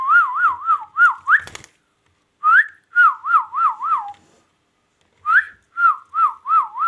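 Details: Pet ringneck parrot in a small room whistling a looping tune of wavy, warbled notes, each phrase opening with an upward swoop and repeated three times with short pauses, one sharp click in between.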